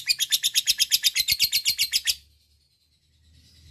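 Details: Lovebird ngekek chatter used to lure by calling a rival: about two seconds of rapid, harsh, high chirping that stops abruptly, followed by quiet with faint low hum.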